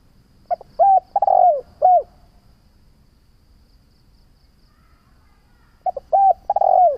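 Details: Spotted dove cooing, used to lure doves and train them to call: a full phrase with a long falling croo, several seconds of near silence, then the start of another phrase that breaks off.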